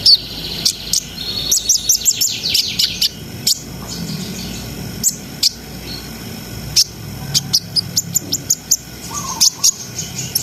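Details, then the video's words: A long run of high chirps, short whistled slurs and buzzy trills from a brown-throated sunbird in continuous ngriwik-ngerol song, meant to raise breeding arousal, with brief pauses between bursts and low background hum. "SUARA KONIN GACOR NGRIWIK NGEROL SAMBUNG NEMBAK !! COCOK BUAT NAIKNA BIRAHI BAHAN"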